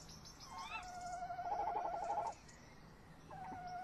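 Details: Tawny owls at a nest box on a late May evening in 2015, the male having been rolling inside while the female stays close; an upward-swooping squeal leads into one loud wavering trill, then a second trill starts.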